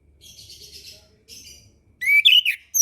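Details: Orange-headed thrush song used as tutor material for young birds learning to sing; faint high twittering opens, then a loud burst of sharp, warbled whistles sweeping between mid and high pitch near the end.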